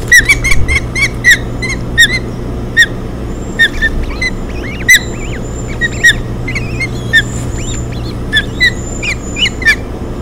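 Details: Whistled osprey chirps at a nest on Hog Island, June 2017, while a fish is delivered and three chicks are fed; a quick run of sharp notes, then more spaced calls and curving softer peeps, with low background rumble.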